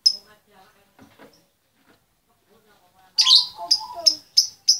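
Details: Female lovebird calling to the male: after quiet, soft murmuring, a run of sharp, loud, high chirps repeated about every half second.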